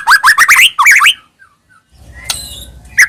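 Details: Lure song of a White-rumped shama for caged birds: quick looping warbled whistles for about a second, a pause, then a faint low rumble and a single sharp note.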